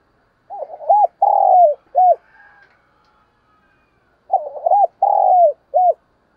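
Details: Decoy spotted dove cooing to lure wild birds: two matching phrases, each a rough stuttered opening, a long sliding coo and a brief closing coo, separated by about two seconds of quiet.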